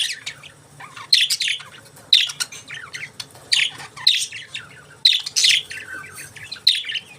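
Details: Budgerigars chirping in bursts about once a second, high bright squawky notes overlapping in a lively chatter, with a faint steady hum underneath.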